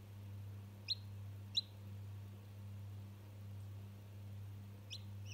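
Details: Day-old domestic chick talking to a toy: three isolated, sharp, downward-sliding high peeps spaced over several seconds, with a soft low hum throughout.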